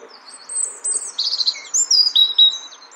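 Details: European robin of the nominate subspecies, recorded in Brussels, Belgium, in March 2014, singing a rapid jumble of thin, high twittering notes and sliding whistles, the phrases growing louder and denser toward the end.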